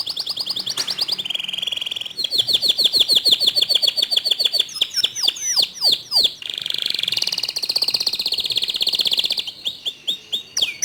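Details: Long, varied canary song used to draw other canaries into singing: rolling trills, a series of steep downward sweeps and buzzy sustained passages, all loud and continuous.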